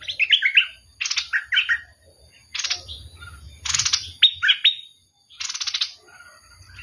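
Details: Bulbul alternating short sweet whistled notes with harsh, scratchy bursts, phrases separated by brief silences.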